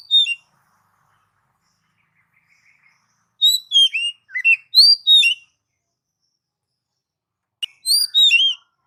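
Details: Oriental magpie-robin song played to stimulate pet birds: bursts of rich, varied whistled and slurred notes in quick phrases, separated by silent pauses of a few seconds.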